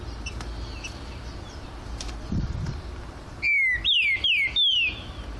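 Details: Great thrush, called trinca-ferro, perched on a flight cage, singing loud clear whistled phrases: four descending slurred notes in quick series near the end, after quieter background and faint distant calls.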